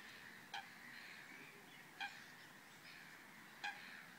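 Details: Black-winged stilt at Vrbenské rybníky ponds near České Budějovice, Czech Republic, recorded 11 June 2016: three short, sharp, yelping calls spaced about one and a half seconds apart over a steady hiss of distant background sound.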